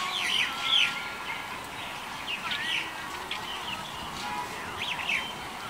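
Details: Light-vented Bulbul, February 2021, giving short, wavering, whistled phrases at uneven intervals, bright and mid-high in pitch, over a steady background hiss.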